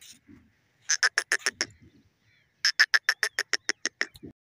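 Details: Teetar, a francolin, calling in two fast runs of clipped, bright notes, the second run longer at about a dozen notes, separated by a short quiet gap with soft low murmurs.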